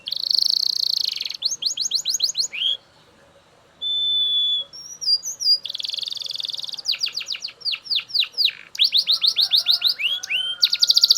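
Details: Super loud Belgian canary singing a varied string of rapid trills, buzzing rolls, steady whistles and sweeping falling notes, briefly pausing before resuming with fast repeated phrases.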